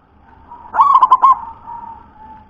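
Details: Single song phrase from a local zebra dove with a thick, deep voice: a quick rising note flows into four rapid rolling coos, trailing into a soft steady hum.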